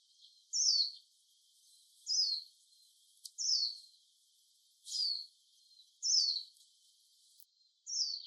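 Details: Japanese white-eye giving sharp, high descending call notes, one roughly every one to one and a half seconds, clean and thin against a quiet backdrop, with faint clicks between.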